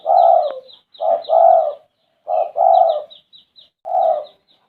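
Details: Red-eyed spotted dove (derkuku) singing actively: low, mellow, hoarse coos in two- and three-note phrases with a longer drawn-out final note, phrases about a second apart, faint high chirps of other birds above.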